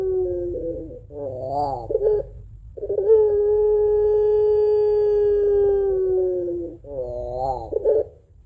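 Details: Puter pelung Barbary dove in full voice giving its long crying two-note coo, used as a lure for doves at home: two short wavering coos, then one steady drawn-out tone lasting about four seconds, then more wavering coos.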